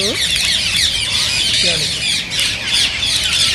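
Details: Rose-ringed parakeet flock, calling to stimulate singing and mating in others; constant overlapping shrill squawks and chirps, with brief lower curved notes at the start and midway.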